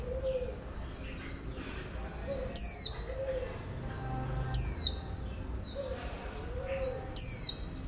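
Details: Oriental white-eye female, used to stir males into song, gives a loud falling whistle about every two seconds, three in all, with thin high chirps and soft twitters filling the gaps; faint background hum.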